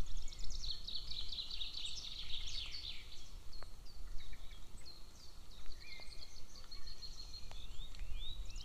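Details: Nest-camera recording of a golden eagle eaglet near a military training area, June 22, 2024; a quick burst of high piping notes opens, followed by sparse short squeaks and slurred whistles over a strong low rumble.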